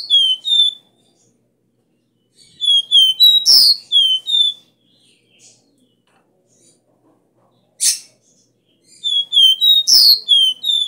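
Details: Copper seedeater (caboclinho) singing the strong three-note 'Dó Ré Mi' song style, used to fire up a caged bird: three bursts of high, clear whistled notes, each phrase broken by a harsh, loud buzzy note, with silent gaps between.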